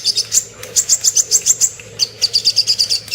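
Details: Little spiderhunter singing as a master song for training songbirds: two quick series of bright, high chirps, each about eight notes delivered rapidly, separated by a brief pause.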